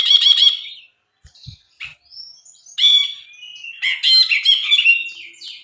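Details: Brinji (bulbul) singing on a training recording for cage birds: a harsh chattering burst, a pause with faint clicks, then a long whistled slur and a run of mixed buzzy and whistled notes.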